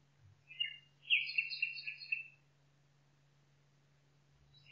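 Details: Nightingale singing in a forest; the recording sources name woods north of Cologne, Germany in June 2002 and near Paciano village in Umbria, Italy. A short phrase of clear whistled and warbling notes lasting about a second, then quiet with a steady low hum.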